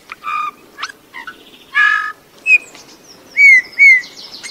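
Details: Bullfinch song: creaky, nasal warbling notes and a harsh burst, then two clear falling piped whistles near the end, over a faint rustling background.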